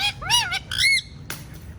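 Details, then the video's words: Pet talking parrot, called by its owner, answering with a short harsh looping squawk and a bright whistled note, followed by a faint noisy rustle. "Talking Parrot Says Funny Words and Whistles Perfectly"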